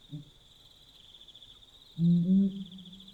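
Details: At night along the Limpopo River in Botswana, a Pel's fishing owl (Scotopelia peli) gives one deep, moaning hoot held for nearly a second after a faint low note; crickets trill steadily throughout.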